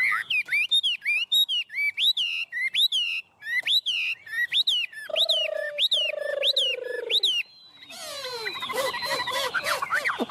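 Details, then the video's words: Tame Chinese hwamei perched on a hand, singing 'ôm cóng': a long sequence of bouncing, repeated whistled notes, a lower buzzy drawn-out phrase, then a dense jumble of mixed calls. "Họa mi ôm cóng cực sung trên tay"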